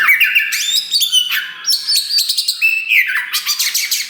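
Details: Loud, continuous song of a black 'wulung' Oriental magpie-robin (kacer), kept to provoke rival birds: fast sequence of clear whistled slurs, falling and rising notes mixed with scratchy, chattering bursts.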